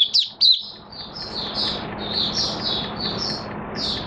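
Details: Oriental white-eye, in minor moult, recorded 3 June 2022: two loud, sharp high chirps open the clip, followed by a long, quiet sequence of soft, high warbled notes.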